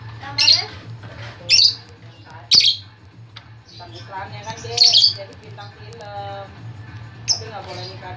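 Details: Talkative lovebird whose chatter is meant to draw other lovebirds in: loud, harsh shrieking squawks roughly once a second, with rich harmonic buzzy notes between them.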